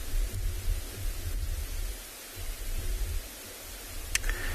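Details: Steady low wind rumble and hiss with a single sharp click near the end; no animal voices are heard.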